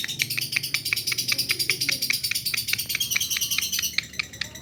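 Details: Lovebird responding immediately to another lovebird with a brisk, unbroken run of sharp, high, ticking chirps, evenly spaced and strong from start to end, over faint low background noise.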